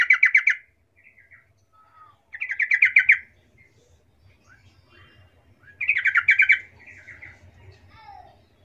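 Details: Yellow-vented bulbul lure song, meant to make other bulbuls answer: three bubbly, rapid chattering phrases, each under a second, spaced a few seconds apart, with a faint low rumble behind.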